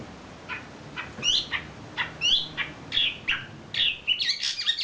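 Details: Champion wambi bird giving a tutor song: scattered short chirps and sharp downward-slurred whistles, ending in a denser, tumbling burst of high twittering notes over a low hiss.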